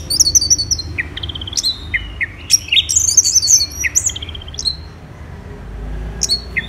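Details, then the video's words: Morning song of an orange-headed thrush at Kubutambahan, Singaraja, Bali: fast high chatter and short downslurred whistles around four per second, a louder scratchy cluster midway, then tapering into scattered notes. "ANIS MERAH Gacor"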